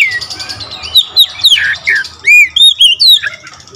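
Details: Oriental magpie-robin delivering full-variation song: descending slurred whistles, then a loud clear arched note followed by quick upward-sweeping whistles in quick succession.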